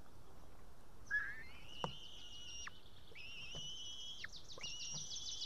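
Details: White-tailed eaglet calling at the nest, filmed in Estonia on 8 June 2018 around 6:54 pm, asking to be fed after struggling with a live fish. A long, sustained, piercing whistle is broken by short trills, then a second stretched whistle follows.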